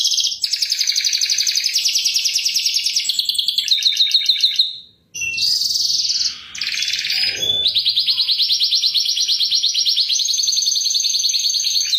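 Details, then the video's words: Canary song played as a lure, chirping style: long stretches of dense high rolling trill, broken by a short pause and a noisy burst in the middle, then steady trilling again. "Suara Pancingan Kicauan Kenari Cuit Cuit"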